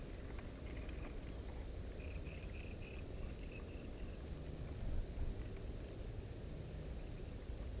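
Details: Distant common reed bunting singing: a brief series of about seven quick, evenly spaced thin notes on a steady pitch, set against a heavy low continuous drone.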